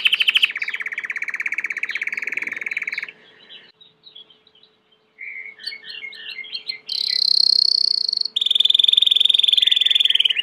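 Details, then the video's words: Belgian canary song with a long rapid trill, a brief quiet gap with soft notes, a burst of chirpy varied phrases, then loud high rolling trills shifting to a lower tour. "COMO FAZER SEU CANARIO CANTAR MUITO 20 MINUTOS DE CANTO"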